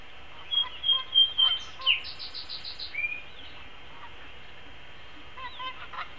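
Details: At a nest on a live camera, 13 April 2016, a long-eared owl feeds its chick an entire vole; thin drawn-out whistles and a rapid series of six high pulses, then sliding squeaks and soft clicks.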